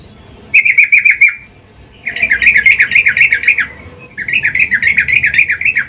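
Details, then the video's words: Female sooty-headed bulbul in breeding mood calling to the male, used as a lure; three bursts of rapid wavering chirps, the later ones longer, about ten notes each. "trucuk Betina memanggil jantan EMOSI BIRAHI"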